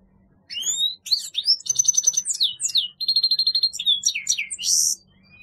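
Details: Grey-headed goldfinch in full song, a busy medley of rising whistles, quick trills, repeated sharp chirps and a closing harsh buzzy note, with a faint low hum underneath.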